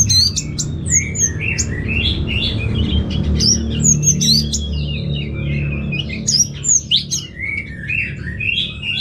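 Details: Orange-headed thrush, a caged bird kept for song training in Bali, Indonesia, singing a busy run of varied whistled and chirping phrases, many high slurred notes overlapping, with a steady low hum beneath.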